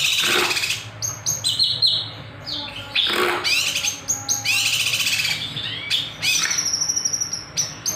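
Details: Kinoy bird lure recording in the nembak style: irregular, loud, sharp high notes and short chattering bursts, with sweeping slurs between them.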